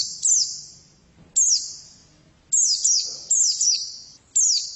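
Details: Female white-eye giving high, downward-sweeping chirps singly or in pairs, every note trailing off in a drawn-out echoing ring.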